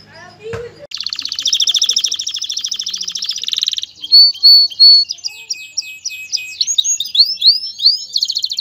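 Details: Male canary song meant to ready a female for mating and nest building; after a short click, a long rapid rolling trill for three seconds, then loud whistled notes and a series of quick curved sweeps.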